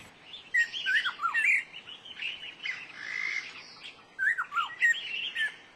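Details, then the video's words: Black-necklaced scimitar babbler, Dagangshan, Taiwan, July 2011. Mellow whistled phrases of falling notes come in two bursts separated by softer chattering in the background. "大彎嘴 / Black-necklaced Scimitar Babbler"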